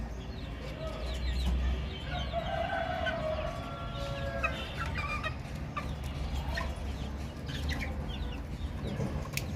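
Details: Baby chicks chirping: a busy scatter of short high peeps, with a few longer, lower drawn-out tones mixed in and steady low background rumble.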